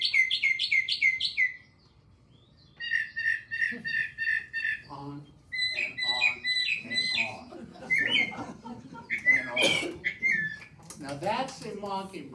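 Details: Northern mockingbird singing bright, varied phrases, each typically repeated three or more times in quick succession before switching, with a person talking over the later part.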